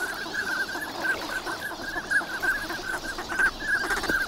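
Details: Morning chorus of wintering ducks at Nagahama, Lake Inawashiro, Japan, in fine weather: quick, closely spaced whistled notes repeated without pause from a large flock.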